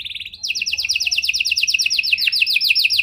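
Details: Panda canary song with rich cengkok phrasing, used to bait and train other canaries: a fast run of repeated downslurred whistled notes, several per second, after a brief higher trill.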